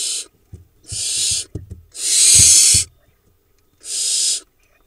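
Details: Young barn owls on a nest cam in Israel's Hula Valley, four nestlings remaining, preening; three rasping hissed screeches spaced about a second apart, with faint scuffling and knocks in the gaps.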